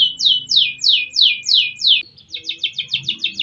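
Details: Adult caged canary, an F2-class contest winner, singing nonstop, recorded on an ordinary phone; a series of loud descending whistled sweeps about three per second, then a quicker run of short repeated trill notes.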